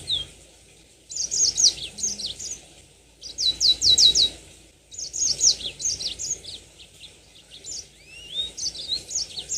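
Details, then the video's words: Caged yellow-fronted canary (mozambik) delivering high, fast chattering phrases of trills and clipped notes in bursts about two seconds long, separated by short pauses, ending with a softer slurred whistle. "Pancingan tercepat burung mozambik biar gacor ngerol panjang"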